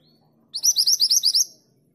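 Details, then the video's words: Mantenan gunung female calling for a male, one short burst of about eight quick, sharp, high chirps run together in a lively series, faint low background hum. "Mantenan gunung betina memanggil jantan"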